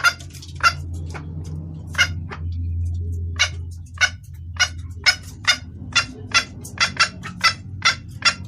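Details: Female red junglefowl calling for the male, a clear call suited to luring males: spaced sharp clucking notes that quicken to a rapid series toward the end, over a low droning hum.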